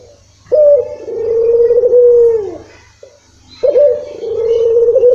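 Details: Used as a lure to start a quiet dove calling, a Barbary dove (puter) gives two long, smooth, low coos, the first trailing downward at its end, separated by a brief silence.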